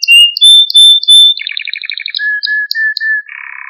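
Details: Training song of a canary, used to stimulate birds: four loud sharp whistled notes, then a rapid pulsed trill, slurred whistles repeated in series, and a low buzzy roll at the end.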